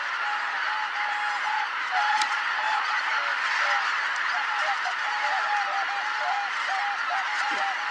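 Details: Greater white-fronted geese arriving in a flock to roost at Kotomonuma pond, Japan, on 13 October 2019 at 17:25, after the 17:05 sunset: a dense roar of many birds with repeated, slightly wavering honking notes rising out of it.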